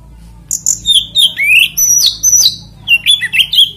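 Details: Oriental magpie-robin song used as a lure to provoke other magpie-robins into singing: a rich run of varied, loud whistled phrases, some sliding downward, others sharp and clipped, delivered almost without pause against a faint low hum.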